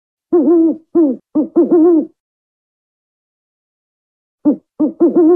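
African wood owl giving a rhythmic run of five mellow, resonant hoots, then a pause and three more hoots. No other sounds are heard.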